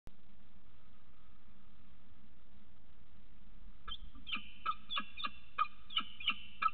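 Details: Adult male peregrine falcon arriving with food for the female on the morning of her first egg laying: after a steady background hum, a series of sharp, evenly spaced harsh chipping calls starts about four seconds in, repeated roughly three times per second.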